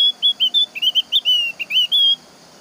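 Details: Javan grey-throated white-eye singing to draw other birds into song: a quick series of pure, high whistled notes, rising and dipping, about a dozen in two seconds, against a soft hiss.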